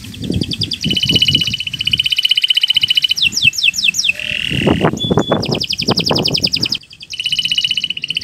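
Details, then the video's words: Canary giving a long varied song as a training recording for other birds: alternating fast trills, downslurred sweeps and buzzy notes, over repeated low knocking background sounds. "Kicau Burung Kenari 174 II LUAR BIASA GACOR PANJANG Cocok untuk Masteran"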